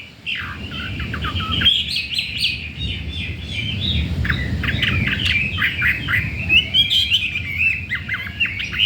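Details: Wild-caught Chinese hwamei, kept caged four days after arrival, said to be ready to breed; dense, chattering stream of short clipped notes and whistles over a steady low rumble of background noise.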